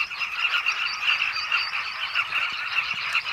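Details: Southern carmine bee-eaters back at their nesting holes burrowed into a bank of the Zambezi River, Zambia; a dense, unbroken chorus of overlapping rolling, chattering calls from many birds at once.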